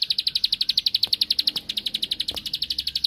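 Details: Bar-winged prinia (ciblek sawah) singing to provoke a rival into answering: a fast, steady run of sharp high clicking notes, about four per second, with a few faint taps in the background.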